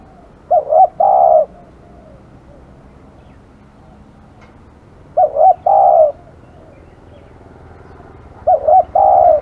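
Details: Aggressive spotted dove calling persistently: three phrases of two clipped coos and a drawn-out rolling coo, spaced about three to four seconds apart.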